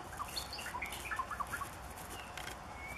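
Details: A wild White-rumped shama (Copsychus malabaricus) gives a quick run of varied, clear whistled notes, rising and falling over the first two seconds, against a steady hiss of background forest noise.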